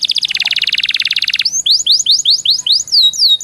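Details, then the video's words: Training song of a canary for competitions: a quick rattling trill lasting over a second, followed by a string of whistled notes that sweep up and then down, repeated about every third of a second. "Suara masteran burung kenari yg di sukai para jurii bikin kenarimu jadi juara..!!"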